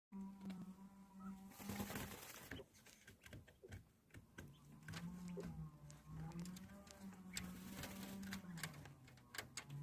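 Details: A quail dust-bathing gives a low, steady purring hum, held for several seconds and dipping slightly in pitch, over scattered scratching and clicking noises.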